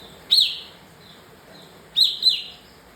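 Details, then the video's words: Bar-winged prinia, described as agitated, giving two short high chirps with a quick falling tail, the second doubled, separated by over a second of quiet background hiss. "Kapas tembak emosi"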